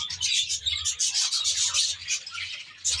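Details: Short burst of budgerigar flock noise from a natural-style aviary: loud, scratchy, pulsing chirps and squawky warbles rising and falling several times per second, with a low hum below.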